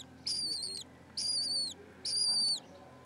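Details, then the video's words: Four lesser kestrel chicks about six days old, beside an unhatched egg on a school roof, give three shrill, raspy begging calls, each about half a second long and close to a second apart, against a quiet background. "גוזלי בז אדום"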